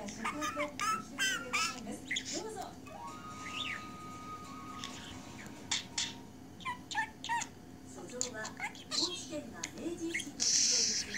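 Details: Pet budgerigar absorbed in its own world, chattering indoors: a long run of quick warbled notes, short squeaks and sweeping whistles in irregular bursts over a steady low hum.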